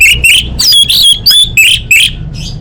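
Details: Female orange-headed thrush calling to males, used to lure quiet birds into song: a rapid run of loud, harsh, chattering whistled notes, about three per second, each bright and slurred, with faint low rumble beneath.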